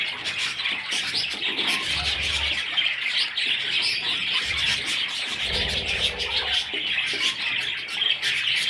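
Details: Long, constant high-pitched chattering from budgerigar chicks, with intermittent low bumps and rustles of movement.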